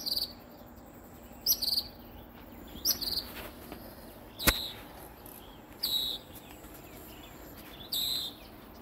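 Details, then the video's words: Northern mockingbird singing in the early morning from a peacock flower bush about ten feet from a door in south coastal Texas: short high chattering phrases repeated roughly every one and a half seconds, with one sharp click. "Northern Mockingbird Song"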